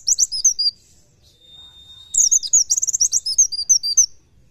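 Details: Oriental white-eye tutor recording, nembak nyepeed style, with a short high chirping phrase, a long thin level whistle, then a busy two-second run of rapid twittering notes.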